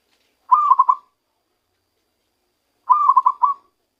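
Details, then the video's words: Zebra dove newly caught by luring, now singing: two short bubbling phrases of three to five rapid coo notes, separated by more than two seconds of silence. "ketika perkutut hasil pikat mulai keluarkan suara asli nya"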